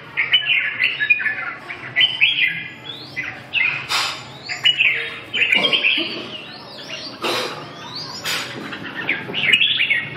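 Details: Red-whiskered bulbul song of varied whistled and chattering notes in short bursts, broken by several sharp clicks and knocks.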